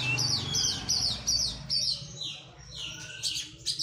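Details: Oriental magpie-robin after moulting, in physical training: a fast series of high, sharp chirps repeated about twice a second, with a low steady hum underneath.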